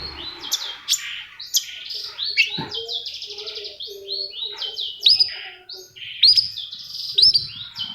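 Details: Long-tailed shrike song played to prompt silent shrikes to sing: a dense, varied medley of high buzzy trills, rapid rattles and sharp upslurred whistles, continuous throughout.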